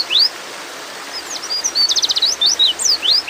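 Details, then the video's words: Female white-eye calling a male while in breeding mood: an isolated rising chirp, a gap, then a quick buzzy rattle of high notes and several sweeping upslurred whistles. "terapi pleci bikin cepat ngalas"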